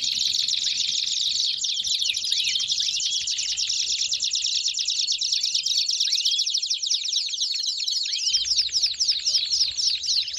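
Belgian canaries singing a dense, continuous warble of rapid trills and chirps, high and bright, with several birds overlapping throughout.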